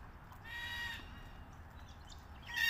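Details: Red-tailed black cockatoo calling while eating casuarina nuts: one sustained harmonic cry lasting about half a second, then after a pause a sharper, louder call starting, amid constant low noise.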